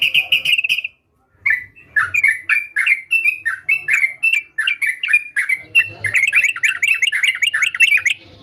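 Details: Sooty-headed bulbul singing energetically: a quick trill, a brief silence, then a long run of short downslurred chirps roughly every third of a second, building into a denser burst of bubbly notes at the end.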